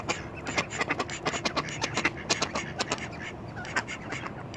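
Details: A defensive mallard drake standing his ground gives a fast run of harsh, raspy quacks, short burst after burst several times a second, over faint background noise.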